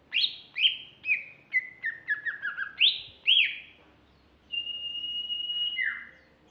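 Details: Song of a female greater green leafbird: a series of sharp falling whistled notes in quick succession, a short pause, then a long level high whistle ending in a steep downward slur.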